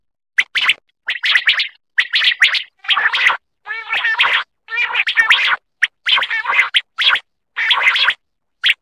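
Quail calling in quick, harsh, chattering bursts, several short notes each, repeated about twice a second with brief pauses; nothing else is heard.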